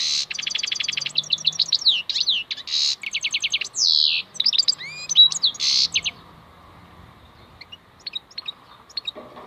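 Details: Wild European goldfinch, locally called maknine khalwi, singing a fast twittering song of rapid metallic trills, quick upslurred notes and buzzy bursts. The song runs for about six seconds, then a few scattered soft notes follow in near silence.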